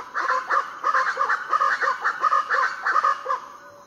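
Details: Variable Chachalacas calling before dawn on Foengoe Island, Suriname: loud, harsh, rhythmic calls repeated in quick overlapping bursts, several birds in a raucous chorus lasting the whole four seconds, with fainter calls beneath.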